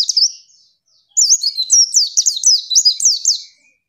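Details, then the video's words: Female white-eye used as a training recording for other birds. A brief high note is followed by a pause, then a fast run of high, thin, looping chirps that slur up and down. No other sounds are heard. "MASTERAN PLECI LANGSUNG BUKA PARUH"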